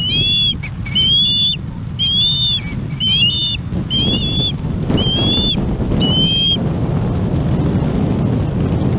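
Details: Osprey chick on a camera-watched nest in Charlo, Montana, 21 August 2017, calling for fish before an adult brings one in; seven short, high, whistled chirp bursts about once a second over steady low wind rumble.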